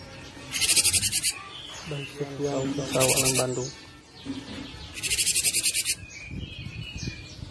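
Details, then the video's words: Cinereous tit for songbird training and luring: three rapid, harsh chattering rattles of many pulses each, separated by lower droning voice-like tones and some background noise. "burung gelatik batu gacor cocok buat masteran & pancingan burung"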